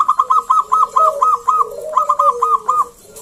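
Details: Zebra dove song meant to prompt other doves to sing: a rapid staccato string of about ten clipped notes, a short pause, then another run, over a soft lower drawn-out coo.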